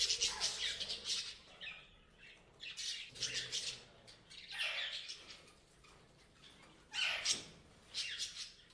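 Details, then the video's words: Parrots chirping in bursts: clusters of harsh, high squawky chirps separated by short quiet gaps, the loudest outbursts near the start and around the seventh second. "Parrots Chirping Sound"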